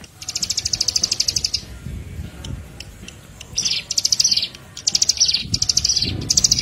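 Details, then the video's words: Bar-winged Prinia (ciblek) lure song: an opening buzzy trill lasting over a second, followed by a string of shorter high rattling bursts in quick succession, with soft low noise underneath. "PANCINGAN MASTERAN PIKAT SUARA CIBLEK PRENJAK KIPAS"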